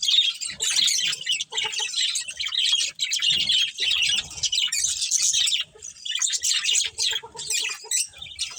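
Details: Budgerigar colony chatter with breeding birds: a long, unbroken stream of high, rapid chirps, squeaks and warbling twitters from several overlapping birds, rising and falling in loudness.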